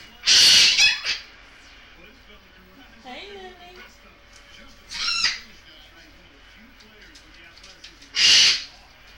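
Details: Playful pet Goffin's cockatoo screeching harshly at the start and again at the end, with a softer rasping call in the middle and a person speaking briefly.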